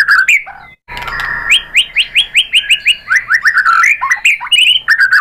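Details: White-rumped shama song used as a lure to provoke other birds into singing: varied whistled phrases, then a run of about a dozen quick rising notes, then slurred descending whistles and bright closing flourishes, with a brief cut.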